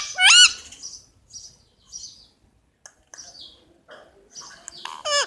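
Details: Pet Indian ringneck parakeet giving a sharp, ringing upswept chirp, then quieter scratchy notes, and a second loud rising chirp at the end.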